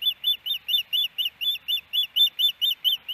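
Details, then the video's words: Nesting ospreys, Hellgate Canyon near Missoula, Montana, April 12, 2019, male quieting the female. Short burst of about fourteen shrill, clipped whistled notes, each slightly arched, delivered in a quick, regular chain. "Hellgate Canyon Ospreys ~ Louis' Way To Hush Iris"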